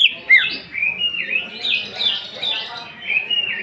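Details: Cucak ijo (greater green leafbird) performing 'nembak' with rough fill-ins to provoke emotion: flowing, wavering whistled phrases that glide up and down continuously, with one loud sharp note near the start.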